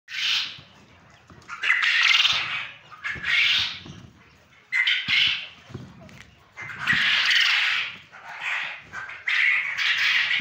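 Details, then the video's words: Male quail from a quail farm in Punjab, Pakistan, giving harsh, broadband bursts of calling, several loud outbursts of about a second each, with short quiet gaps between them. "نر بٹیر کی خوبصورت آواز،quail sound,quail voice,quail awaz"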